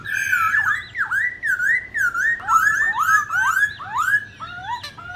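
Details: White-browed laughingthrush singing competitively in many voices: a rich run of loud, slurred whistles, each swooping up or down, about two per second, varied in pattern.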